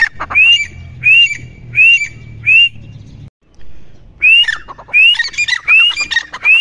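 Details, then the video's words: Grey francolin (teetar) repeating clear rising whistles roughly every 0.7 seconds. A short silent break follows, then the whistles resume more densely, mixed with rough chattering notes. "Teetar Ki Awaaz"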